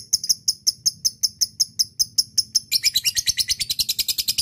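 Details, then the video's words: Ngekek call of a lovebird addressing a rival, used as a lure: evenly spaced shrill chirps that suddenly break into a fast, buzzy, continuous chatter for the final seconds. "lovebird akan kepancing ngekek panjang setelah di dengar pancingan ini"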